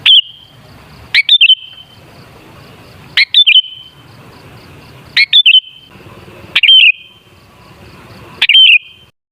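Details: Lure recording of sooty-headed bulbul song to make bulbuls sing: loud, clipped bubbling phrases of two or three quick notes ending in a drawn-out whistle, repeated roughly every two seconds over faint background hiss.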